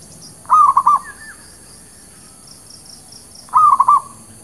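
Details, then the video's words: Lure song of a local kampung zebra dove for catching birds and settling new ones: two identical soft, trilling coo bursts about three seconds apart, each a tight run of four gentle notes, with faint background hiss. "SUARA PANCINGAN MERBUK KAMPUNG / PERKUTUT LOKAL"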